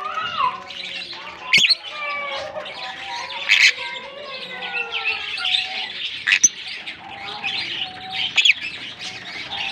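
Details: African lovebirds in a colony give dense, shrill chirps and squeaks that overlap almost without pause, with sharp louder shrieks near two, four, six and eight seconds, over steady lower tonal sounds in the background.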